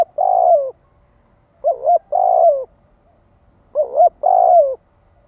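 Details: Spotted dove giving 'thúc gù' coos to provoke males: three coo groups about two seconds apart, each a wavering double note joined to a fuller, slightly falling coo, against quiet background.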